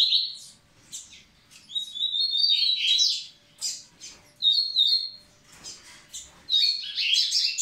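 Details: Double-collared seedeater singing to stimulate the females: drawn-out level whistles alternating with quick chirpy bursts, phrases broken by brief pauses, with a few faint clicks.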